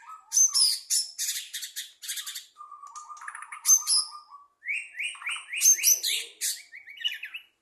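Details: White-rumped shama released from its training cage in 2023, singing loudly: dense high buzzy bursts, a low rattling trill, then fast rising whistled slurs repeated in quick series.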